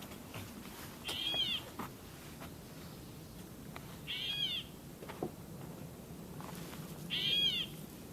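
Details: Gray Catbird near Great Swamp on July 8, 2015, in summer, gives three slurred, cat-like mews, each about half a second long and roughly three seconds apart, over a low, steady background hiss.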